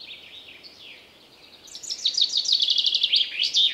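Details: Common chaffinch in forest: after faint background song, a loud phrase of rapidly repeated high notes runs down the scale and closes with a short flourish.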